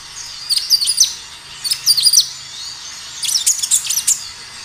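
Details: Kinoi singing in three short bursts of bright, high chirped notes, each a quick cluster of sharp rising and falling tweets, offered as a lure to make other kinoi respond.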